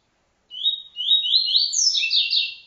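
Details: Double-collared seedeater song in the TuiTui style, used as a training song: clean, high whistled phrases, a few short sliding notes climbing in pitch, then a faster twittering run of rising slurs, with no background noise.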